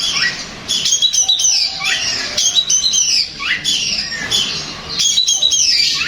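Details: Long-tailed shrike song used to provoke a kept shrike into answering: high chattering phrases ending in clear downward-sliding whistles, repeated roughly every second.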